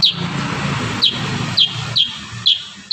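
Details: Kurincang in an energetic rapid-fire song used for tutoring songbirds: sharp high chirps roughly every half second to second, over a low rumbling background.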